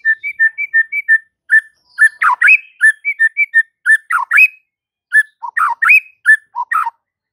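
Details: White-rumped shama in full song, used to trigger singing in other shamas: clear two-tone whistles repeated in quick series, mixed with slurred warbling phrases and brief pauses, loud and clean.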